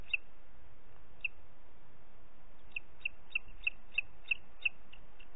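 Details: Booted eagle in Els Ports Natural Park on 30 June 2021 at 11:01 gives short, high, clear piping notes: two spaced calls, then a quick run of about eight at three per second, over a faint low rumble.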